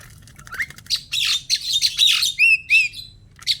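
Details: Captive pet starling kept for four years, recorded indoors during its daily activity: harsh squawking bursts and scratchy chirps run together, then two clear upward-curving whistles, followed by a brief closing chirp after a short pause.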